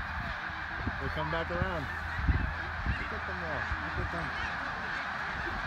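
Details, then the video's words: Snow geese, Middle Creek, Pennsylvania, 24 February 2024 around 10:52 AM. Several distinct nasal, wavering honks ring out near the middle, set against the constant roar of a massed flock and low rumble. "Snow Geese in Middle Creek, Pennsylvania"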